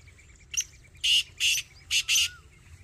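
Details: Black francolin calling: one short rasping note, then four loud, harsh, grating notes in two close pairs over about a second and a half, with faint chirping of other birds behind.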